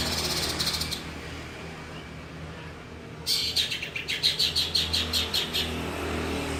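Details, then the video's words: Long-tailed shrike mimicking a lovebird. Brief high twittering opens, a short pause follows, then a rapid run of buzzy, shrill chattering notes pulses about three to four times a second before stopping, over low background rumble. "Cendet rasa love bird"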